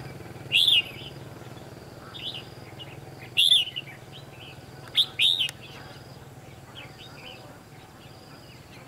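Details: Red-whiskered bulbul, a decoy bird singing during trapping, with short loud whistled phrases spaced a few seconds apart and softer chirps between them, over a low continuous hum.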